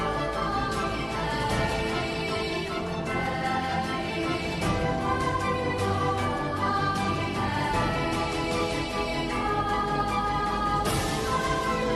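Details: Continuous orchestral and choral music fills the recording, with no animal sound.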